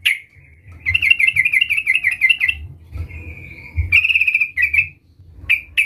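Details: Vocal sooty-headed bulbul (trucukan) calling out to a rival: a short opening note, a wavering chattered phrase, a drawn-out even tone, then quick chirping runs and a final clipped note, with a steady low hum behind.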